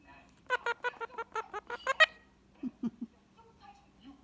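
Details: Evening chatter from a pet Indian ringneck parakeet relaxing beside its owner: a quick train of around ten nasal, harmonic pulses, ending in a bright note, followed by three low soft grunting notes.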